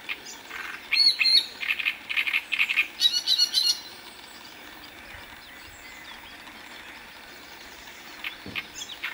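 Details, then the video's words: A singing Great reed warbler (Acrocephalus arundinaceus) in Moselle, France, gives a loud three-second burst of harsh, grating, repeated notes with a few squeaky whistles, then falls silent over a quiet rural background. "Rousserolle turdoïde chant"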